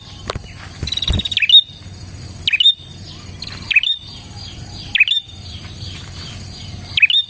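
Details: Energetic Bar-winged prinia song used as a lure for other prinias: six loud notes, each a swooping down-then-up chirp ending in a high piercing whistle, spaced about a second apart over a steady low hum.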